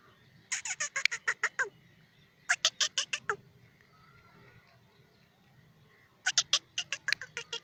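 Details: Black francolin, a Sindhi patha, calling in three bursts of six to eight rapid, dry, grating notes each, separated by pauses of about one and three seconds, with faint low rumble between bursts.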